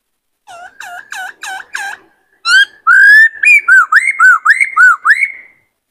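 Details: Varied song of a caged White-cheeked laughingthrush male in breeding condition, singing and dancing. Five soft looping whistles lead into louder, ringing notes that alternate rising and falling, with a steady pace of clear phrases.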